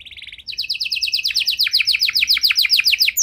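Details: Canary singing to encourage stalled canaries to sing again: a short fine buzzy trill, then a bright run of repeated downward-swept high notes, some plunging lower, at a steady quick pace.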